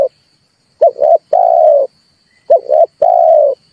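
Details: Trapping lure of a red turtle dove: two identical phrases of a broken double coo running into a long, even, low hoot, separated by a brief silence.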